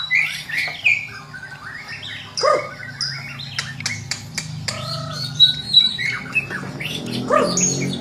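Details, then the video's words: White-rumped shama in vigorous song packed with mimicked notes, used to train birds in the morning; harsh squawky phrases, sharp clicks, whistled slurs and brief high notes rushing one after another, with a low hum behind. "Murai Batu Gacor Dor Full Isian || Untuk Melatih Burung Di Pagi Hari"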